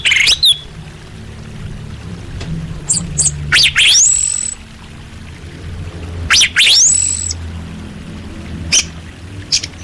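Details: Female orange-headed thrush calling males, used to lure muted birds into song: sparse, loud rising whistles sweeping sharply upward, each followed by scattered ticks, with long quiet gaps and low hum between.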